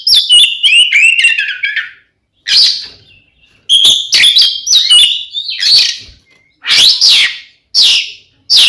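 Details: Oriental magpie-robin (kacer) delivering a provoking fighting song; a tumbling run of falling whistles, then separated harsh, scratchy bursts and bright whistled notes at irregular intervals.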